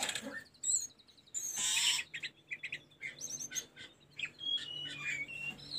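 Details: Sunda robin (tledekan gunung) song from a training recording for caged birds: varied bursts of high chirps, a loud harsh rasp near two seconds, then quick whistled notes and short sliding whistles.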